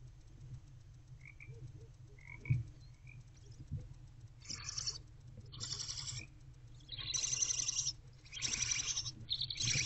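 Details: Wild barn owl owlets in Owl Box C, a nest box, shortly after 4 am on 11 February 2024 while their mother takes a break; faint low rumble at first, then broad rasping hisses from the middle onward in uneven bursts.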